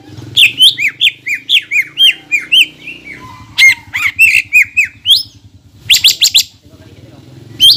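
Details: Greater green leafbird in full, energetic song, used as a lure to rouse other green leafbirds into singing: a fast run of loud, clear whistled notes, each a short down-slurred chevron, then brief harsher bursts and a renewed phrase.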